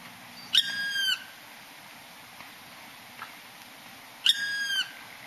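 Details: Black woodpecker calling on Mount Sapporo, Hokkaido, at Hiyamizu stream on 6 April 2012: two drawn-out, clear, slightly falling calls, each about half a second with rich overtones, roughly four seconds apart, over faint steady background hiss.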